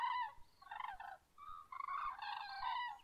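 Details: Common cranes calling at dawn: loud, rolling trumpeting calls rich in harmonics, several birds overlapping in two long bursts with a brief quiet gap between them.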